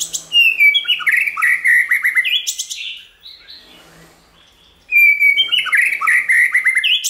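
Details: Many-voiced white-rumped shama song for stimulating and training other shamas: a dense burst of rich whistles and sliding notes, a near-silent pause of about two seconds, then another fast tumbling phrase of clear whistles.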